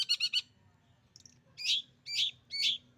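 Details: Bukakrodong, the long-tailed shrike, mimicking a canary: three quick grating chirps, a pause with a faint squeak, then three longer, rasping, buzzy notes spaced about half a second apart.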